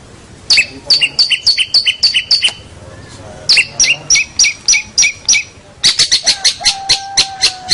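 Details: Local champion long-tailed shrike in a training master recording: rapid dry ticking notes in fast runs of about three per second, with a short pause, then more quick clicking series.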